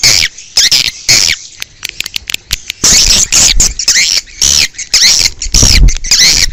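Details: Outdoor swiftlet sound for luring the birds: repeated harsh, high chirps with arching whistled overtones, about two a second, broken by a stretch of rapid clicks, with occasional low thumps.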